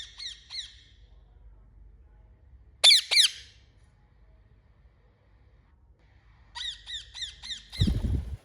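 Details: Parrot repeating short, shrill, falling squeaky notes in bursts: a quick series at the start, two loud screeches near three seconds, then a rapid run of six notes, ending with a low thump.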